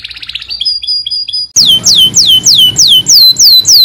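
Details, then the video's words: Canary training song: soft pulsed notes and a thin held whistle, then loud, evenly spaced downward swoops, about nine in a row. "KANARYA SESİ EĞİTİM ÖTÜŞÜ CANARY VOICE!!!"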